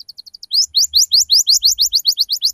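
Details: Canary lure song for young learners: a few short soft chips, then a fast run of loud rising sweeping notes, about seven per second.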